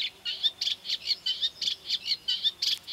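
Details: A Eurasian reed warbler by the Doubrava river at Lišice, Svatý Mikuláš, on 12 July 2015 gives scratchy, high chattering notes in quick runs of two or three, repeated steadily with no pause, against a quiet background.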